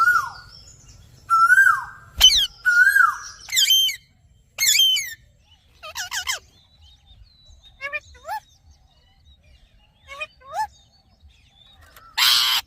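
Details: Rose-ringed parakeet producing a mix of shrill squawks and drawn whistled notes early on, then softer, scattered chirps. A short loud hiss comes at the end.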